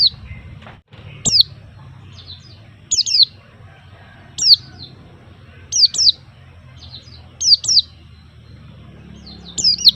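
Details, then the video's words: White-eye giving short bursts of high, thin, tumbling notes, each phrase about half a second long and repeated roughly every one and a half seconds, over a quiet low hum. "kicau burung Pleci"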